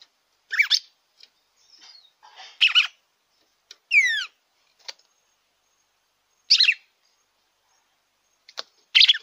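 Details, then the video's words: Song of the red-cowled cardinal meant to stimulate a caged bird: brief warbled phrases separated by pauses, a sweeping downward whistled series in the middle, and a few sharp isolated clicks. "ESQUENTE SEU GALO DE CAMPINA."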